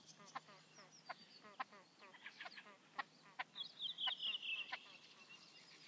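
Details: In Liepāja, Latvia, 2023, a great crested grebe breaks into a strident, rasping call of fast pulses after a run of scattered clicks and short croaking notes from nearby birds.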